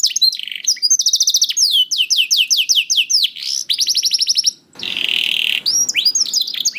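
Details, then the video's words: Young canary song used as a lure to prompt reluctant canaries to sing: rapid trills of down-slurred whistled notes, repeated phrases changing pitch every second or so, with a brief buzzy rasping section near the end. "PANCINGAN KENARI PAUD TERBUKTI AMPUH MEMANCING KENARI SUSAH BUNYI IKUT GACOR"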